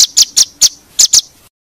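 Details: White-rumped shama tutor recording for competition birds: six short, sharp high chirps in quick succession, slightly uneven in spacing, then silence.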